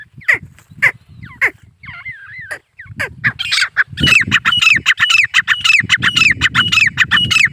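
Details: Male grey francolin calling: loud, ringing, harmonic notes, a few spaced singly at first, then a dense, fast run of repeated rising-and-falling notes, over a low rumbling background.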